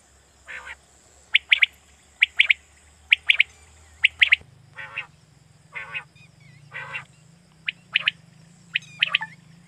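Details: Quail calling, a sound Pakistani hunters use to draw quail in night hunting. Rapid sharp triplet notes alternate with lower raspy, buzzing calls, repeating steadily through the recording, with a low hum shifting partway.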